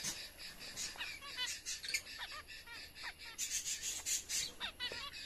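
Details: Lovebirds at feeding time: busy overlapping high chirps and brief twittering notes, several a second, with soft rustling and a steady hum underneath.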